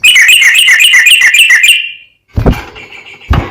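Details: Sooty-headed bulbul in fast, continuous song used to excite other bulbuls: a two-second stream of bright rapid chips trailing off, followed by silence and two dull knocking thumps.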